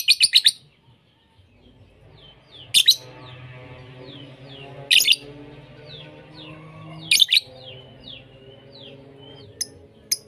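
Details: Mixed lovebird lure recording from a collection of champion voices. Sharp, high chirp bursts recur every two to three seconds, with small downslurred tweets between them. A steady humming tonal backdrop runs underneath.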